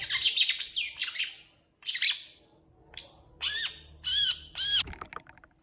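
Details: Long-tailed shrike singing a fill-in-rich song: harsh, grating bursts and a rasping note, then a series of short, arched, clearer notes after a brief pause.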